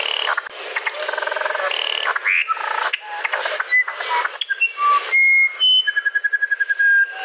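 Pure, flute-like whistles on shifting pitches, ending in a quick run of repeated notes, over a dense chorus of rainforest insects and frogs.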